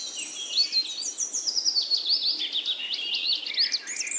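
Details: A lively run of whistled, sliding chirps and twitters, high and quick, with notes rising and falling in steady succession throughout.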